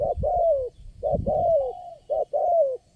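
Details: Wild spotted dove, the lone caller at a lure-trapping spot, reacting to a decoy bird; low mellow coos in paired phrases, a brief hoot then a drawn-out descending coo, three times in quick succession.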